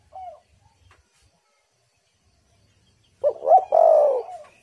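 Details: Spotted dove used as a lure to make wild doves call: a faint short coo, a pause, then a loud phrase of two quick rising notes and a long, slightly falling hoarse coo.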